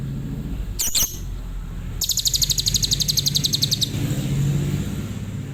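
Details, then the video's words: Tembakan Cililin song from an adult lovebird: a sharp squeak, then a two-second burst of very fast, high, regular chirps over steady low traffic-like rumble. "Love Bird Dewasa // Tembakan Cililin"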